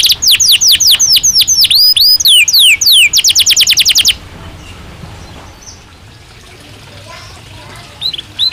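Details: Canary singing in its cage during breeding season: about four seconds of quick swept notes and a fast trill, followed by a quiet background with faint notes near the end.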